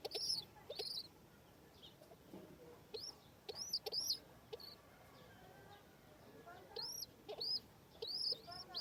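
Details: Home pigeon chicks at feeding time with an adult: sharp, high, rising-falling squeaks arrive in short clusters of two or three, separated by quiet gaps of a second or more.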